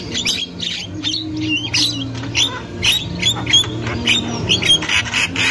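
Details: Wild Javan myna in full song: harsh rasping bursts, clicks and short squeaky whistles packed densely together, with a steady low hum underneath throughout.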